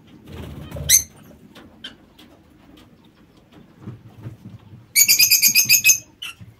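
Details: Lovebirds kept in a home aviary, one short shrill screech, then a burst of rapid harsh chattering notes near the end, repeated in quick succession; faint low rustling and background noise between calls.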